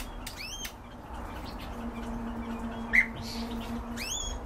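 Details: A bred canary gives short, bright, downward-sweeping chirps in a quick group at the start and again at the end, over a low steady hum.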